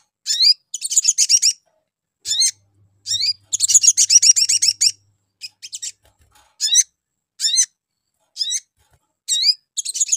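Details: A sogon sounds its lure call to attract other sogon: clusters of rapid, high, buzzy chirps alternate with single upslurred whistles at irregular intervals, with a quiet low hum in places.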